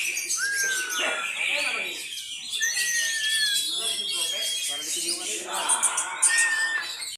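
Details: Young Oriental magpie-robin, kept as a prospective fierce contest bird in Medan, North Sumatra; clear long whistled notes, some rising and some held level, over dense chattering of other birds and people talking nearby.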